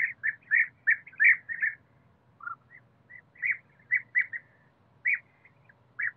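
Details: European bee-eater in a forest, giving a lively series of loud, rolling, liquid trills about three per second. One lower note comes in the middle, then spaced calls follow, with a faint low hum throughout.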